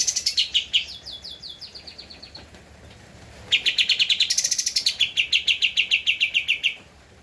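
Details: Javan white-eye singing as a master recording for cage birds: a run of quick descending high chips, a short pause, then a long, loud, rapid chattering trill lasting about three seconds.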